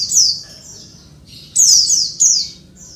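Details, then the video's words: Female Oriental white-eye calling males, used to provoke quiet males into calling as in the wild: high thin descending chirps, one at the start and a loud cluster after a pause near the end. "suara pleci betina ribut manggil jantan bikin cepat ngalas"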